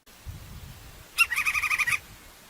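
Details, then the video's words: Crimson-crested woodpecker in nature giving a quick series of about seven harsh, nasal notes, evenly repeated over under a second after a quiet start, with low background rumble. "Canto do pica pau Topete Vermelho"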